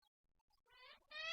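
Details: Black-legged kittiwakes at a colony in Dunbar, Scotland, give two loud, nasal, wailing calls, rich and slightly rising, after a few faint thin notes in the background.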